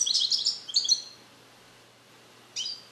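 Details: Young captive-bred male European goldfinch from the USA, born 2021, learning Neapolitan song passages while kept in a carrier: a quick high tinkling twitter lasting about a second, silence, then short chirped notes.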